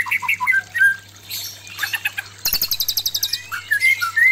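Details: Male white-rumped shama singing at an aggressive female, meant to raise breeding drive: short whistled slurs, then a fast buzzy trill of evenly repeated high notes, then more rising whistles, over a steady low hum.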